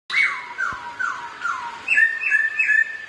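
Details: Two kept Black-throated laughingthrushes singing against each other while dancing: loud clear whistled notes sliding downward, repeated about twice a second, then shorter rising-falling whistles near the end.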